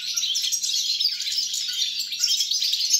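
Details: European goldfinch song recorded on 29 December 2022: a dense, continuous twittering of fast, tinkling, high chirps and trills without pauses.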